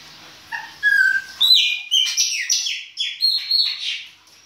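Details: In winter a Chopi blackbird sings its baianinho song: after soft opening notes come loud, clear whistled phrases, each a sliding note followed by quick chirps, repeated in strong bursts.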